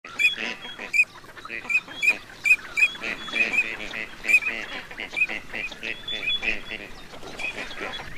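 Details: Wild gadwall ducks, recorded as a hunting sound, give harsh, nasal quacks and grunting calls in a busy, overlapping chorus, several calls per second.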